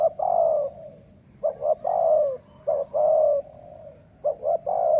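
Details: Dove in the sai muang song style for decoy trapping, delivering four rapid phrases, each of two clipped notes and a sustained downward-sliding coo, loud and clear.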